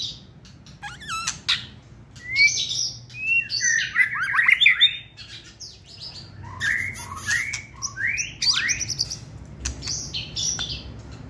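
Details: Hand-held competition white-rumped shama in a cage, singing a busy, varied medley: a quick trill, then clustered slurred whistles, buzzy notes and scratchy chatter running through the whole stretch.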